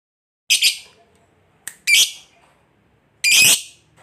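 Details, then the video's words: Lovebird kept as a singing bird, sound used to lure other lovebirds into singing: three harsh, loud squawking bursts with a shorter sharp note between, spaced about a second apart. "Lovebird Gacor Ngekek Panjang Ini AMPUH Memancing Lovebird apapun Jadi Fighter dan Rajin Bunyi"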